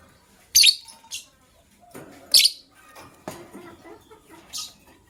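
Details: Morning chirping of gray and yellow-green lovebirds, a gray bird ready to lay eggs: sharp high chirps spaced about a second apart, with soft fluttering and quieter rustling between.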